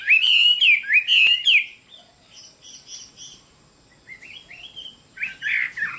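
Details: Loud Chinese hwamei song opening with strong, ringing whistled phrases, then softer repeated short notes and a final burst of rich, slurred whistles.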